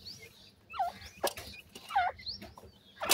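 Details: Grey francolin chicks at feeding time: high, slurred down-and-up whistled notes, paired with a sharp tap or scratching noise, repeated about once a second.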